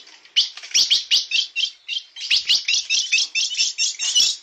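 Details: Blue-black grosbeak, bico de aço song style. After a soft start, a rapid series of high twittering notes, about four or five a second, grows louder and steadier.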